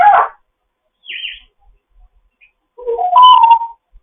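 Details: Fostered pet African grey parrot making morning sounds: a short loud squawk, a high buzzy whistle, then a mixed warbling phrase of low and high whistled notes.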